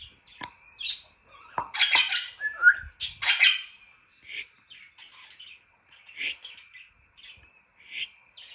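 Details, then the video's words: Pet African grey parrot squealing in harsh, noisy bursts mixed with sharp clicks and pops and short chirpy notes, uneven in rhythm. "Jarvis the African Grey and his funny sounds"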